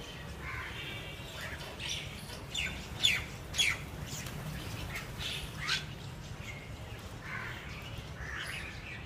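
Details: A flock of jungle mynas gathered to eat their favourite food gives scattered harsh squawks and chattering notes, irregular and overlapping, over a steady low rumble of background noise.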